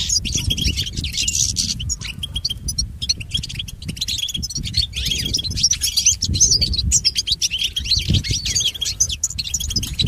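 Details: European goldfinch song for training pet birds: a dense, continuous twittering chatter of high, sharp notes, at times overlapping. A steady low-pitched background hum runs throughout.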